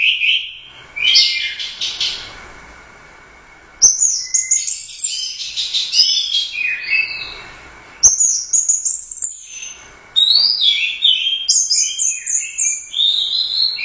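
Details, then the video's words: Competition orange-headed thrush, first-place winner at the Royal Cup, singing in gacor style while swaying. A long, varied song of high, rapid, chattering phrases, sliding whistles and trills, delivered in four bursts broken by brief pauses. "Suara Burung Anis Merah | GACOR Teler Doyong Juara I Royal Cup"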